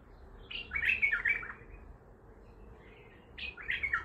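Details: Baghdadi-style bulbul, an untrained bird, sings two quick, rich warbling phrases separated by a pause of about two seconds, notes sliding up and down in the mid-high range.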